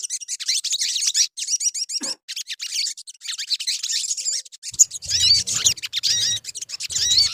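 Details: Sogon birds in a lure recording meant to make birds sing, giving dense high twittering with rapid chirps and rising slurred notes, near-continuous with brief pauses, plus a few soft low thumps late on.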